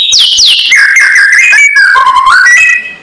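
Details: White-rumped shama giving a loud kretekan call used as a lure to provoke rival birds: rich, harmonic whistles falling in steps, then wavering lower notes and a final rising phrase, with no other sounds.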